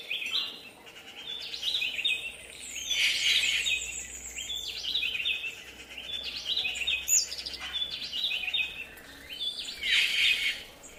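Yucatan jays give harsh, raspy calls in overlapping bursts of chatter, with louder outbursts every few seconds over faint background noise.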